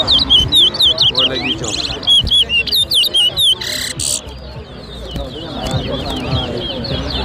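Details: Towa towa singing in a bird whistling competition at Lusignan, Guyana, in 2023: bright, sharp whistled notes with quick up-and-down turns, repeated about twice a second, then fading beneath crowd chatter, background music and other birds.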